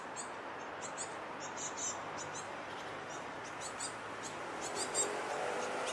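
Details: Near a bridge, fledgling great tits chase adults demanding food; faint, very high chirping begging notes recur about three times per second, unevenly spaced, beneath a steady broadband rushing noise.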